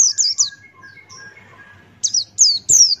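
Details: Buxtoni-type White-eye singing in the open-beaked Ngalas style for tutoring other birds: quick high down-slurred whistles, then a pause filled with faint lower trills, then three loud descending whistled notes.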